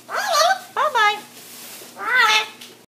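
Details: Talking parrot producing three short speech-like words in a bright, harmonic voice, two close together and a third after a brief pause, indoors with a quiet background.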